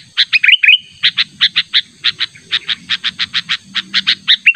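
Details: A sooty-headed bulbul, calling hard to draw in a rival: an opening burst of twisting warbled notes, then a fast, fairly even string of about twenty sharp chirps, with a steady high whine behind.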